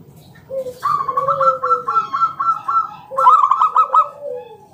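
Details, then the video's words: Ngalun-style song with a round kung note from a local zebra dove, a lure for other doves to sing. A long run of rapid, even, staccato coos is followed by a shorter second run, with lower sliding coo notes underneath. "Suara NGALUN Kung Bulat - Perkutut lokal gacor Pancingan"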